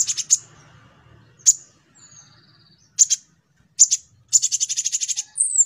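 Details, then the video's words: Lure song of a konin, the brown-throated sunbird, for teaching a young olive-backed sunbird: isolated sharp high chips and paired notes, a faint thin whistle, ending in a fast high chattering trill. "Pancingan konin rajin cerewet materinya ampuh buat kolibri ninja paud"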